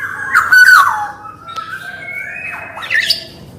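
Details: Black-naped oriole, male and female voices, with a bright slurred whistle dropping in pitch, a soft sustained tone, then a dipping nasal whistle rising into a harsh squawk.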